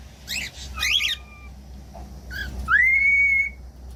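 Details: Cockatiel whistles and calls played to teach other cockatiels to sing: harsh, buzzy chevron calls, then a clean rising whistle that holds a steady high pitch for about a second.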